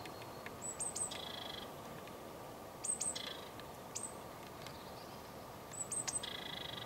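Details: Eurasian blue tit recorded with a Sony HDR-PJ10E camcorder: very high, thin tsee notes running straight into a short buzzy churr, the phrase given three times about every two and a half seconds over steady low hiss.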